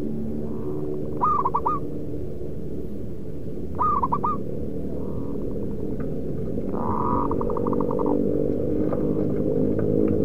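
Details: Local wild zebra dove giving its lure call for trapping birds. Twice it utters a stuttering series of quick coos after a hooked opening note, with softer, flatter cooing phrases between them, over constant low rumbling noise.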